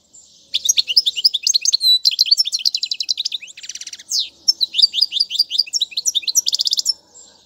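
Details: European goldfinch song used to teach young birds, dense continuous twittering with rapid repeated-note trills, a buzzy stretch midway, and bright chirps running for about six seconds.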